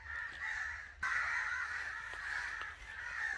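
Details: Angry crow sounds: grating caws that swell sharply after a quieter opening second, then continue as a dense, scratchy stream with faint low hum beneath.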